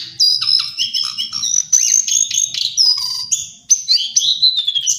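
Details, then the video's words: Lesser shortwing (Brachypteryx leucophrys) delivering a continuous, rapid, high warble of thin whistles and chirps, with a few lower notes, flowing with barely a pause for the whole stretch. "Master Pancingan Burung cingcoang/jongkangan coklat"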